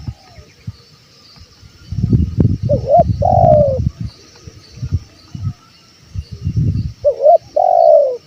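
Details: Spotted dove calling, recorded to lure wild birds: two cooing phrases with long sliding notes, partly masked by loud low rumbling and knocking noise between them.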